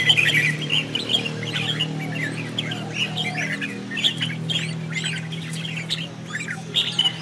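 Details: Red-whiskered bulbul giving contest-style decoy song, used to rouse male birds, while dancing with spread wings; short squawky warbled phrases repeat roughly every second over a steady low hum.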